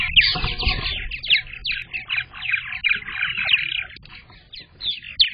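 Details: Purple martins at a nest box camera on 15 May 2022, the day the first egg of the season was laid: a continuous stream of fast, scratchy, gurgling chirps with a low rumbling undertone.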